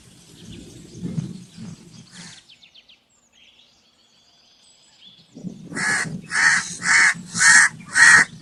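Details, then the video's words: High thin twittering from small birds and low rumbling come first, then a brief quiet. A crow follows with a run of five harsh, evenly spaced caws, about two per second. "Crow Calling Sound"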